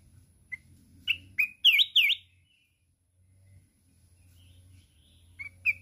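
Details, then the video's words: Wild-type mountain red-whiskered bulbul singing hard in contest while flapping its wings: a few short chirps, then loud looping whistled notes sliding down and back up in a fast burst, ending with brief chirps. "Chào mào núi hót cực xung, đập cánh liên tục"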